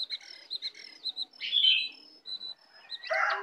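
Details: Oriental magpie-robin, a wild bird arriving aggressively, gives clear high whistled notes repeated in short bursts, then a scratchy burst and a rough harsh phrase at the close.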